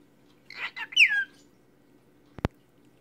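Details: A pet cockatiel says "I love you": three quick, high-pitched syllables in a raspy voice, ending in a falling whistle.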